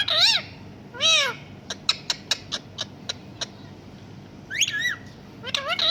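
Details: Talking parrot mimicking a cat's meow: two clear arched meows, then a quick series of dry clicks, then more wavering meow-like calls, all fairly loud and close.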